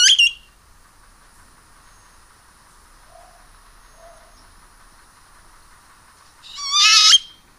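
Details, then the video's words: Great-tailed grackle (Quiscalus mexicanus) giving two loud, harsh bursts about six seconds apart, the second a rattling, rising screech, with faint steady music humming in between. "O canto da Iraúna mexicana"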